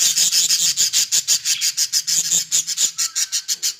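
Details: Caged Australian budgies give a loud, continuous run of scratchy, high, buzzy chatter, the pulses coming roughly five per second throughout.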